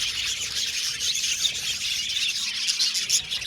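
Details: Budgerigars in an aviary colony chirping together: dense, continuous high chatter of overlapping twittering notes and squeaks, steady throughout with no pauses.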